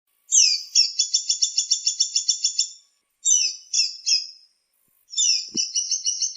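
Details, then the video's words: Woodpecker calls used as master training sound for magpie robins: bursts of rapid, evenly repeated high chattering notes about 2.5 seconds long, then a shorter group of three slurred notes and another rapid chattering series, with no other sounds. "suara burung platuk"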